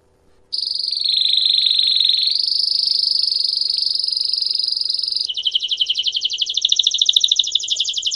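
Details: Canary giving a long campainha song meant to train and teach young birds: a sustained high buzzing roll held for several seconds, stepping up slightly in pitch, then switching to a coarser, pulsed rattling trill that grows louder.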